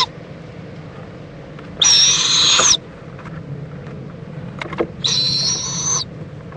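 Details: Owl at a nest in Indiantown, Florida, late morning on 26 February 2014, as the mother checks on her owlet and preens him; two loud, harsh hissing screeches about a second long, three seconds apart.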